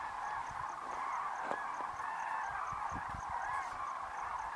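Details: Tens of thousands of Common Cranes rising in the evening over the Kutch grassland in January 2013; sustained overlapping trumpeting from countless birds, with scattered soft low thumps throughout.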